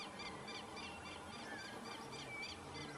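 Yellow-headed Caracara giving a fast series of harsh, high, arched notes, about three or four per second, over a steady hiss of background noise.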